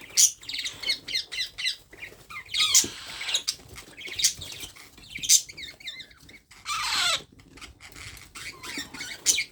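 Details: Baby parrot being hand-fed, giving harsh, raspy, hissing bursts in irregular runs, with a few short squeaky downslurred notes between them and soft handling noises.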